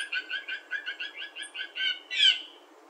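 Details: Blue Jays calling from spruce trees on a September morning, part of a small flock: a quick series of about ten clipped, pulsed notes, roughly five per second, ending in one louder harsh, rasping call.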